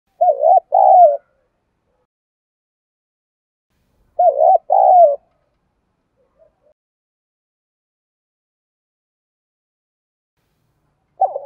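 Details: Spotted dove call used as a lure for training fighting birds: low hoarse cooing phrases of a few rolling notes, repeated about every four seconds with silence between.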